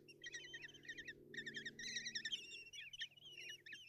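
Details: Common kestrel chicks in a nest box at Tiszalök, Hungary, on 30 June 2024, begging as their mother brings breakfast. Rapid chittering bursts of wavering, trilled notes repeat in quick clusters, with a low hum from the nest camera.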